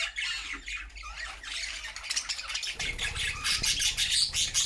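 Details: Budgerigar flock singing happily in a new homemade cage; overlapping squawks and fast twittering chatter, growing denser, with low background rumble.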